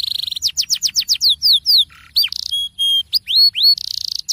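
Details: Canary rolling song used to prompt other canaries to sing, high whistled notes sliding downward in quick succession, interspersed with buzzy trills, a lower rasp and long pure tones, over a faint low hum.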